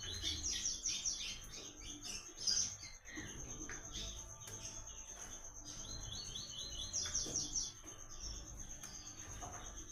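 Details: Papa-capim or coleiro (double-collared seedeater) delivering Tui Tui training song: clusters of quick high chirped notes at the start and again near the end, over a constant high tone and low rumble.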